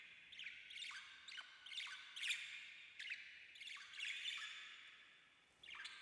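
Budgerigars give harsh, scratchy chirps and squawks in quick bursts, with strong sweeping notes repeated every second or so.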